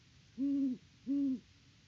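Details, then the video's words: Great horned owl at its nest tree on a Peabody, Kansas farm, October 2023: two long, low, steady hoots of even length, spaced about half a second apart, over quiet background hiss. "HootFest @ the Nest!"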